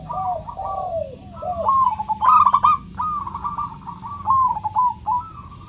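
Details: Local zebra dove song with a clear 'crystal' voice, used to coax doves that seldom sing into cooing: soft rolling trilled coos, repeated, with overlapping cooing phrases and faint background hum.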